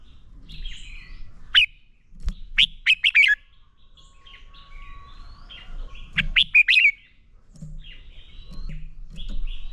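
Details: Red-whiskered bulbul singing a fighting song for training. A rapid string of bright, sharp whistled notes is followed after a pause by another similar burst, with soft, thin warbling from other birds between phrases.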